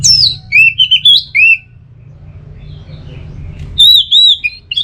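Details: Orange-headed thrush song, used as a tutor and lure recording for caged songbirds: clear, high whistled phrases rising and falling, a quick burst of varied notes, then a pause and a second, looping whistled phrase, over a low hum.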